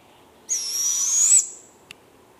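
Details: One of two young barred owlets gives one drawn-out, raspy, hissing screech lasting about a second, high and slightly rising at the end, followed by a faint click.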